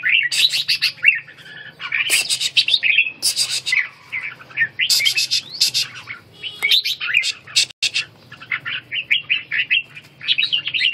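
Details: Red-whiskered bulbul trained in the ché song for stamina recovery, singing almost continuously: loud, lively runs of rich warbled whistles with occasional harsher bursts, grouped into phrases about a second long.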